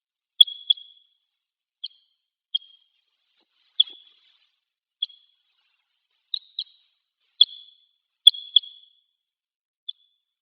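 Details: Crossbill on Hegura Island, Japan, arriving at water to drink near pine woods: a loose series of about a dozen short, high, clipped 'jip' calls, some doubled, irregularly spaced over ten seconds, in a quiet setting.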